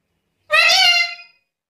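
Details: Black-capped lory, recorded as tutoring material, utters one harsh, nasal, rich-toned squawk lasting under a second, slightly falling at the end, in otherwise quiet surroundings.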